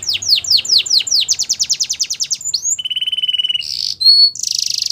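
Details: Canary training song with slow falling sweeps turning into a faster rolled trill, a short upslur, a low steady buzzy tour, then a pure whistle and a fast high rattle.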